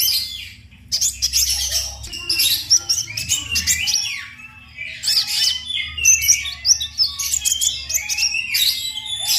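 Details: Sunbird song used as a training recording for other songbirds: fast, high, twittering and trilling phrases with sharp chips and thin whistled notes, delivered in bursts with short pauses, low hum underneath.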